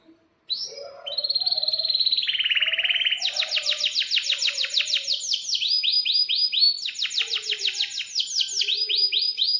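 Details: Canary in breeding condition giving a long rolling 'gacor' song, used as a master for young canaries learning to sing: after a short pause, high whistled notes lead into fast, loud, repeated sweeping trills that change pattern every few seconds.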